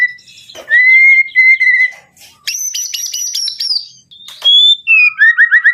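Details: White-rumped shama, murai batu, in full song: long pure whistled notes, then a fast burst of high chipping notes and short rising and falling whistles.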